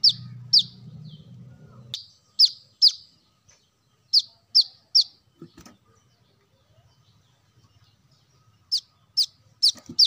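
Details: Brown-throated sunbird lure recording: bursts of two to four shrill, descending chips separated by quiet gaps, plus a low hum at the start and a few soft knocks.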